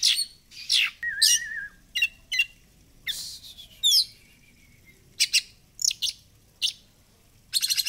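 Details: Oriental magpie-robin, an Indonesian songbird, with a recording meant to lure it into spreading its tail: energetic song of scratchy rasping bursts, quick whistled sweeps and clipped chips in irregular loud phrases with brief gaps, faint background hum.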